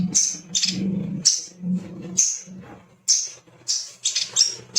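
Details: Male little spiderhunter (sogon) calling with spaced, high, sharp chit notes, sometimes doubled, alongside an intermittent low humming sound.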